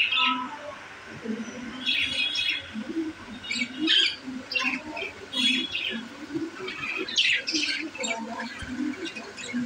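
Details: Pet budgies in a new cage, said to be happy, give irregular squeaky chirps and scratchy notes over a lower murmuring background of soft clicks and rustles.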